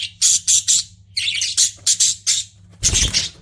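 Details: Pet budgies chirping: a run of harsh, scratchy chirps in quick bursts, three close together, then four more spaced about a third of a second apart, ending in a noisier squawk.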